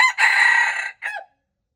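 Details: Part of a wild red junglefowl rooster's crow, February 26, 2025: a sustained, harsh, slightly wavering phrase followed by a short falling closing note, then silence.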